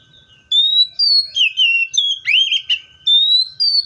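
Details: ['Seychelles magpie-robin producing a continuous string of pure whistles, alternating high flat notes with lower descending slurs and a loud swooping upsweep midway.']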